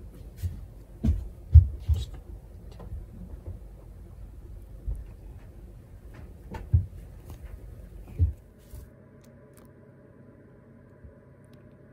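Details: Low thumps, knocks and faint room rustling are heard, with no clear animal call.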